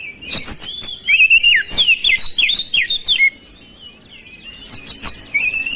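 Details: Oriental magpie-robin in full song, its varied phrases filled with the mimicked 'cabe-cabean' notes: rapid high tinkling chirps and sweeping whistles in dense bursts, a quieter pause near four seconds, then another high burst.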